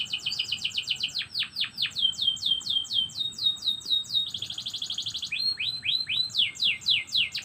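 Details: Canary singing in the morning: fast runs of bright, high chirps repeated several times a second, shifting between rolling trills, down-swept notes and a buzzy stretch, with no other sounds.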